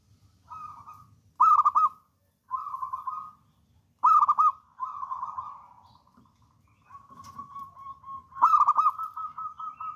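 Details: Eagerly singing local wild-type zebra dove repeats phrases about every second or two, mixing loud clipped bursts of rapid coos with smoother purring rolls, ending in a long sustained trilled coo; quiet low rumble beneath.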